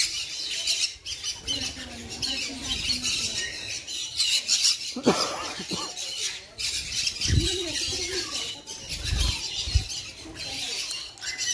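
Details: Sun conure giving harsh, grating squawks and screeches that run almost without pause across the clip, with brief breaks, while a human voice murmurs faintly underneath.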